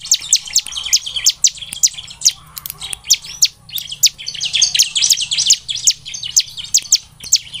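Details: Dense, busy Bar-winged prinia singing, played to coax birds into full song morning, noon and night: rapid high chirps and sharp ticks packed almost without break, strongest toward the middle, over a soft low hum.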